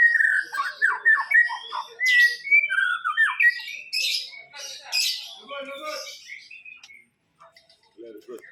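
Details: White-rumped shama that took first place in a songbird contest sings rapid, varied whistles and chattering phrases that fade out, followed by a few soft notes.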